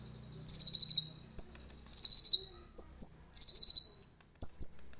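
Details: Common iora, phone recording of its cililin-filled song: rapid buzzy trill bursts alternate with long thin whistles, roughly four phrases in five seconds, with a soft hum beneath the opening.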